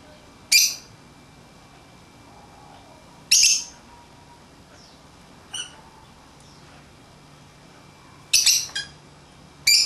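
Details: Pet lovebirds at play outside the cage utter short, piercing, very high screeches spaced a few seconds apart, with softer chirps between and a final cluster of rapid shrieks near the end.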